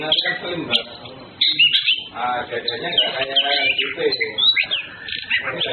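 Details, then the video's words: Orange-headed thrush (Anis Kembang) pouring out a rich, continuous song of fast, varied whistles and chattering phrases with barely a pause, males and females flirting, while a low human voice murmurs beneath. "BIRDSONG | Birds Anis Kembang flirting Males Females birds"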